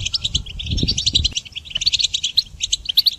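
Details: Goldfinch song used for training songbirds: a rapid, continuous twitter of bright, tinkling high notes with buzzy trills, interrupted by low thumping knocks in the first second and a half.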